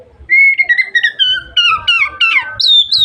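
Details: Oriental magpie-robin song used to stimulate other magpie-robins into opening their tails; a clear whistle slides downward into a series of falling warbled notes, ending in a high slurred phrase.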